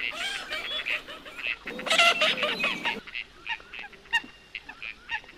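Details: Nasal honking calls of coot, a loud cluster of overlapping notes early on, then quieter scattered honks and ticks.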